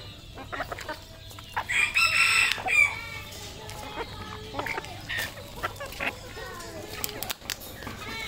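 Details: Red junglefowl rooster, a local bird offered for sale in Cambodia, gives one drawn-out crow of about a second, harsh with a steady whistled tone, amid scattered chirps of small birds and rustling background noise.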